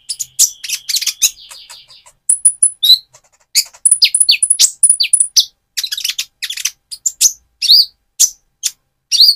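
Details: Actively singing Van Hasselt's sunbird, trotol stage, used as a lure to provoke another bird. Busy, continuous high twittering of sharp chips, buzzy trills and very high thin whistled notes, with occasional downslurred squeaks.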